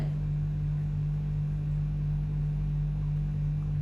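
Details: A steady low electrical hum fills the room, with faint broadband noise and no animal voice.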